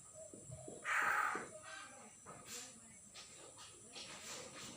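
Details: Common hill myna, newly trapped and still silent of words, recorded 6 December 2022: one strong, hoarse, buzzy screech amid low background rumble and faint knocks.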